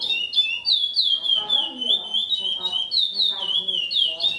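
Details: A captive Chestnut-bellied Seed-Finch (curió), a breeder's foundation bird described as exceptional and highly repetitive, pours out clear, flute-like whistles in rapid slurred phrases that rise and fall without pause, over a faint low murmur.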